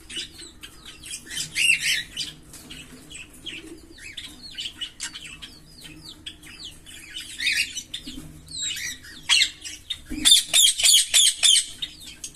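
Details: Green Fischer's lovebird pair, caged, in long-duration song: a busy stream of high squeaky chirps and slurred notes, ending in a rapid series of about eight loud sharp repeated chips.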